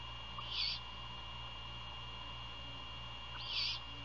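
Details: Great horned owl at a nest near Savannah, Georgia, during a nighttime prey handover at 1:38 AM on 27 February 2022; two harsh, raspy screeches about three seconds apart over a steady electrical hum.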